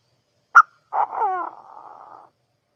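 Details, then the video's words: Quail calling: a sharp short note, then a buzzy rattling call whose harmonics slide downward before trailing off into a fading, even buzz. "เสียงนกกระทา quail sounds"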